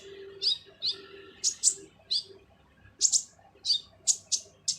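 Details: Kolibri ninja sunbird singing its harsh song, used for training other songbirds: scattered sharp, very high chirps, several in quick pairs, over a low steady hum.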